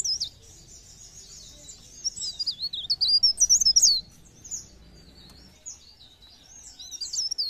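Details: High-pitched pare pare bird song played as a lure to get other birds singing: a sustained thin trill, then loud, wavering whistled warbles, a quieter spell, and renewed twittering at the end.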